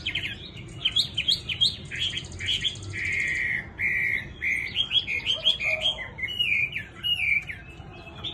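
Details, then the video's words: A tame hwamei, praised for a lovely, soft singing voice, delivers a long, varied song. Slurred whistles and rapid trills shift into steady, sustained notes and then back to quick warbled phrases. "Mi thuần DV6969 NÉT HOẠ ĐẸP GIỌNG CA HAY"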